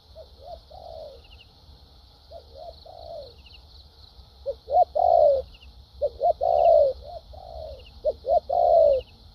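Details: Wild-caught spotted dove with a structured, competitive song style of urging 'thúc gù' coos and 'lèo dặm' trailing phrases: soft short coos, then louder drawn-out descending coos in bursts, over a steady high-pitched buzz and faint chirps.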